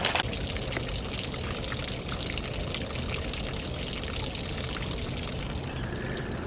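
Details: Water pours and trickles continuously with a hissing, splashing texture, and no animal sound is heard.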